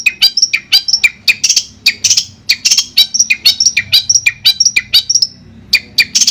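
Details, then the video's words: Indonesian Madura-type long-tailed shrike singing clearly for training other birds: busy, rapid chirps and short whistled notes, about two per second, varied in pitch with a few harsher buzzy notes mixed in. "Suara Jernih Masteran Burung Cendet Madura"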